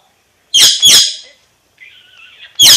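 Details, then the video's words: Alexandrine parakeet, called a Pakistani ringneck parrot, giving two loud harsh squawks close together, a thin wavering tonal note, then another sharp screech in a quiet indoor setting. "Pakistani Ringneck Parrot Talking"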